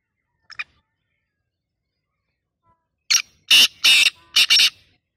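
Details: Black francolin calling: a faint short double note, then a loud harsh grating phrase of four broad rasping notes in quick succession, the middle two longest, against a quiet background.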